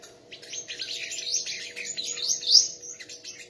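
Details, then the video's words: A sunbird singing in a song contest gives a continuous thin, high warble of rising and falling slurred notes, strongest near the end; a faint low steady hum underneath. "chim hút mật hót đấu"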